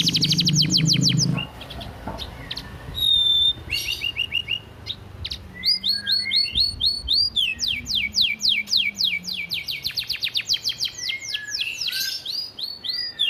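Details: Canary master vocal for training, filled with gereja, bren, cigun and flamboyan phrases: a loud low buzzy burst, then rapid high sweeping trills and chattering notes, with a faint lower hum underneath.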